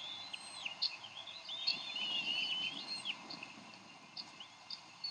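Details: Bald eagles at a Decorah nest on 30 May 2012, the parents squabbling over a fish the male brought for their eaglet. Thin, high whistled chirps and wavering squeals, fairly soft, over steady background hiss.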